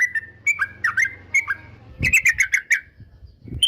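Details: Yellow-vented bulbul singing to provoke rivals: drawn-out whistled notes and short dipping phrases, then a fast burst of bright chirpy notes, over a faint low hum.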